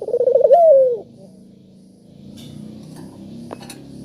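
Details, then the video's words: Spotted dove used to prompt other doves to call: one brief warbling coo with a rolling trill ending in a short downslide, followed by a low hum and scattered clicks. "Burung Puter Gacor Suara Merdu,Tajam Cocok Buat Pancingan Yang Pemalas Bunyi"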